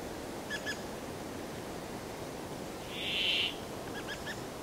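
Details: Brambling song: a single drawn-out, nasal, buzzy wheeze lasting about half a second, over steady hiss, with faint short chirps from other birds before and after.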